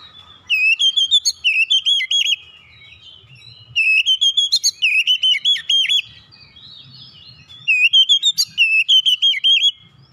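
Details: Basic song of an oriental magpie-robin, tight rolling style: three loud runs of rapid, clipped, looping whistles, each about two seconds long and separated by short pauses, in a quiet setting.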